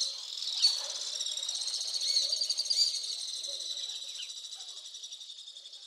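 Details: Alpine swifts recorded in Hérault, France, July 2022, a steady stream of high buzzy overlapping trills that slowly fade over several seconds, with a few sharper notes near the start.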